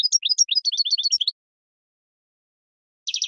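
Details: Spring song of a European goldfinch used to train cage birds: a quick run of bright, high chirps and liquid twitters lasting over a second, then silence and a brief dense trill at the end.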